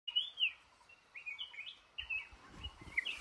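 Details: Male red-whiskered bulbul in a trap in a cashew garden, singing short warbled, slurred whistled phrases, some rising and some falling, with brief pauses between them. Faint low rustling and thumps come in near the end.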